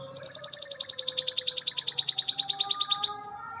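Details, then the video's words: Crested jay, used as a training song for kept birds, giving a fast dry rattle of sharp high notes, around nine per second for three seconds, steady in pitch, over faint low tonal hum. "MASTERAN SOGON TROTOL JAHANAM"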